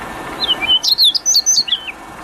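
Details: Prinia song in the wild: high, sharp chirps and twisted whistled notes in a lively, fast, varied sequence of about a second and a half, over faint background noise.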